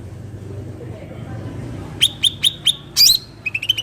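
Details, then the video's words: Cucak ranting bulbul recorded in nature: four evenly spaced, crisp high chirps about a quarter second apart, then a burst of harsher notes and a rapid run of five quick tweets. A steady low background rumble is present throughout. "cucak ranting suara alam"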